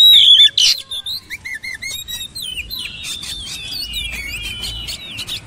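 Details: Oriental magpie-robin song: a loud opening whistle and burst, then a long run of softer rapid chirps and twisting whistled notes with a faint low hum behind.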